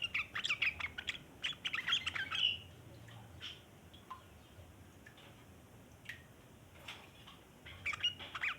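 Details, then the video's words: Long chattering of a yellow-vented bulbul, used as a lure for other bulbuls: a lively burst of rough, rapid twitters opening, scattered single notes in a quiet middle, and chattering again at the end. "burung trucukan ngeriwik panjang cocok buat pancingan trucukan bahan"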